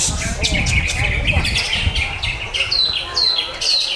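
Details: Greater green leafbird song of busy high twitters that give way to clear, descending whistled notes near the end, set against low rumbling background noise.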